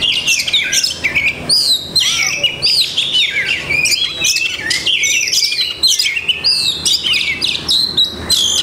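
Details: Caged Oriental magpie-robin giving a continuous, high-pitched song of copied phrases: clear whistled slurs, rapid chips and short trills packed closely together, with a quiet background.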